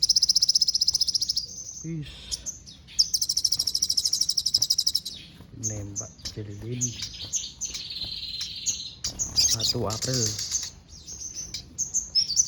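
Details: Sogon singing mimicked phrases of sparrow, cililin and canary. Long high rattling trills alternate with varied chirps and whistles, and a lower harmonic voice-like sound appears twice in the middle.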